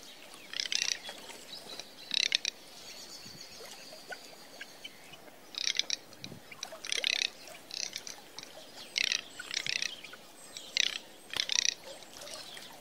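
Teal giving bursts of short, high, whistled chirps, roughly one cluster every second with brief pauses, over a soft steady background hiss.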